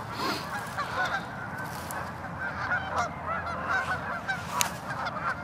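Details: Tundra swans on 16 March 2013 at Ninth Line, Mississauga, Ontario, Canada, alongside geese and ducks: a dense, overlapping chorus of nasal, honking hoots with steady background murmur and occasional sharper calls.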